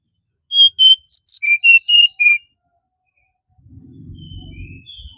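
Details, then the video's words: Brown-chested jungle flycatcher singing a quick phrase of about eight clear whistled notes, high sharp notes dropping to lower steady ones, lasting two seconds, followed by a low rumbling noise. "Sikatan Rimba Dada Coklat"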